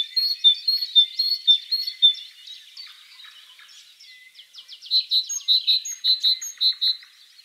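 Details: Great Tit song: rhythmic, ringing two-syllable phrases repeated steadily, then a brief buzzy interlude, then another bright series of repeated notes at the same quick pace.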